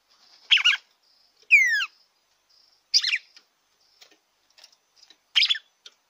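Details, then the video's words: Red-cowled cardinal song meant to warm up a kept bird: loud, burry, descending phrases about every one to one and a half seconds, including a clear sliding whistle of stacked downward notes, with faint ticks between phrases. "ESQUENTE SEU GALO DE CAMPINA."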